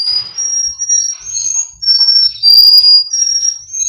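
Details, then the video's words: Russian canary singer from a breeder in Miami, Florida, recorded for song training: clear, high whistled notes held in long smooth phrases, some gliding upward, with brief soft gaps between and faint low thumps indoors. "Canary Singing Birds sounds | Melodies Russian Canary Bird Sounds"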